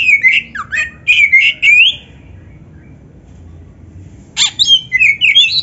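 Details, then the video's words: Oriental magpie-robin training song: a short phrase of clipped, repeated chirps with upward flicks, a two-second quiet, then a sharp click-like note leading into more high, varied whistles. "MASTERAN KACER FULL MATERI MEWAH"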